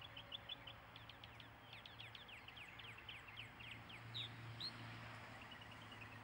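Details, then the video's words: Song of a mockingbird: rapid series of sharp, descending chip notes repeated in quick bursts, then a couple of brighter whistled notes, heard over a steady low hum. "Mockingbird Songs"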